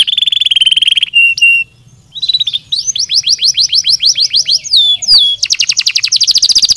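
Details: Canary song intended to stimulate singing: a fast buzzy trill, a short gap, then rolling sweeping notes with sharp chips and a final dense high trill.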